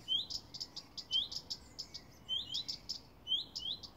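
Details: Garden alarm calls of a common redstart, part of a pair warning for hours: clear upslurred whistles alternating with bursts of sharp ticks, about one whistle every second.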